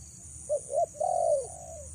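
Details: Single phrase from a female spotted dove calling to lure males for trapping: two quick short coos, then a long, mellow coo that slowly fades, against a faint constant hiss.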